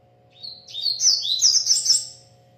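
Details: Energetic singing from a double-collared seedeater kept by a breeder: a sweet, high whistle leads into a crowded, rapid twitter of bright notes for about a second and a half, over a faint electrical hum.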